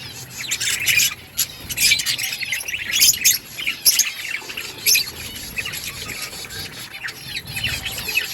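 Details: Budgies feed on green food amid constant high chatter: short chirps, squeaky notes and scratchy warbles from several birds overlapping, with louder bursts every second or so.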